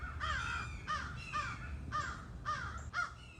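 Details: In a backyard, three or four crows give harsh, hoarse caws in quick succession while mobbing a hawk and chasing it out of the area. The squirrels are also sounding alarms.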